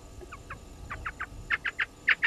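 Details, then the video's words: Spurfowl at a waterhole on Djuma Game Reserve, Sabi Sand, South Africa: a quickening run of harsh grating notes that grow louder toward the end, over faint background hum. "Djuma: Spurfowls"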